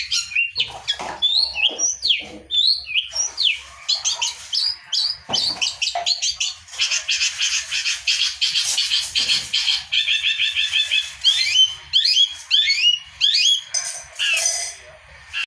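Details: Long-tailed shrike in a long, varied song used to stimulate other birds, with sweeping whistles, harsh scratchy bursts, buzzy trills and rapid repeated chirps shifting continuously from one pattern to another.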